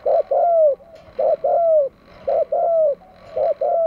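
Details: Cooing from a decoy spotted dove meant to attract wild doves: four evenly spaced phrases, each a short note then a drawn-out coo sliding gently downward, delivered at a steady rhythm.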